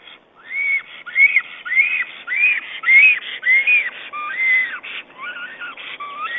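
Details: Black stork on a nest camera, 22 April 2009, calling to its mate while arranging twigs and moss in the nest: a steady series of about ten arched, whistled notes, each rising then falling, with a few lower, shorter notes near the end.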